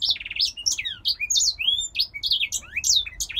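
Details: Song of a captive male grey singer finch that came from a Polish breeder: rapid, varied twittering with descending slurred whistles, short buzzy trills and bright high chirps pouring out almost without pause.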